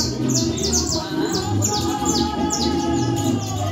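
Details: Canario criollo singing its cruzeta song in a fibre cage in Manhattan: a string of sharp, high, falling sweeps in rapid clusters, with a steady low hum underneath.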